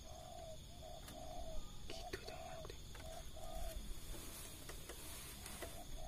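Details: Spotted doves calling after rain at 5 pm as wild birds come down near a decoy: mellow, low coo notes in short uneven groups, repeated throughout against a steady background hiss and scattered clicks.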